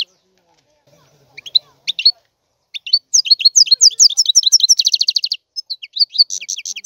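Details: European goldfinch with a few scattered high chirps, then a dense burst of fast twittering and a buzzy rattling trill, resuming with more high slurred notes.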